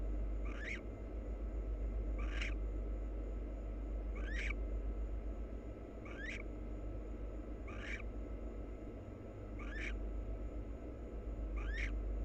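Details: Wild barn owl pair preening and kissing each other; short chirping calls with a rising sweep, repeated about every two seconds, over a steady low hum.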